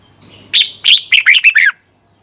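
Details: Morning training lure from a red-whiskered bulbul in competition singing: a single phrase opening with two drawn-out clear whistles, then four quick descending liquid notes, all fairly high.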